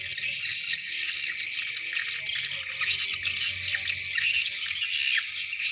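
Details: A large crowd of swiftlets heading into their nests at nightfall: thick, overlapping high twittering with bright peaks at the start and end and a slightly quieter stretch in the middle.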